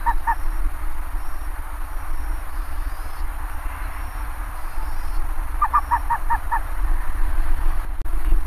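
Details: Bare-faced ibis: a pair of short honks at the start, then after a pause a rapid run of six clipped, nasal honking notes, with constant low-pitched rumble throughout.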